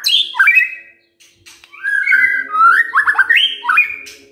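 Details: White-rumped shama singing in the morning to prompt other birds to respond, with sweeping whistles, quick stepped rising notes and fast trills; a low steady hum runs underneath.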